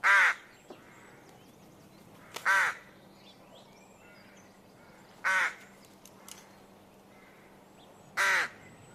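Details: Bird giving four harsh, hoarse cawing calls spaced about three seconds apart, each a short burst with a broad, rasping tone over quiet background hiss.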